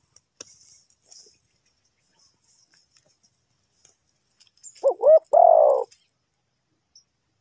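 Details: After a long hush with scattered faint ticks, a trapping-decoy spotted dove gives one phrase: two brief rising notes running into a drawn-out, falling coo.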